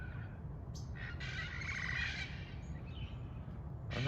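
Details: Indian peafowl peahens trading contact calls in cold weather after a wheezing peachick set them off; a drawn-out, rough, layered call lasting just over a second, framed by short sharp notes, over steady low rumbling background noise.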